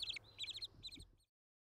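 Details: White-headed woodpecker at its nest gives three quick bursts of sharp, high chattering notes, each run lasting a fraction of a second, over a faint low rumble.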